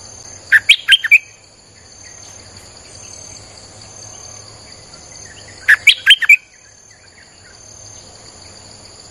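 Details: Streak-eared bulbul song meant as a lure for wild birds: two brief clusters of quick, sharp chirps about five seconds apart, separated by quiet, over a constant high-pitched background tone.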